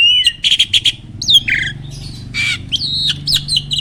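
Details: Starling singing, used as training material to provoke other birds: a steady whistle, then buzzy stuttered notes, a downward-slurred whistle, scratchy bursts and a final bent whistle, with brief gaps.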